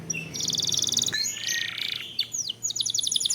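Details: Lure recording of a singing canary meant to provoke song: a rapid buzzy trill, then a sustained harsh rolling note and quick rising whistles ending in a clipped repeated trill.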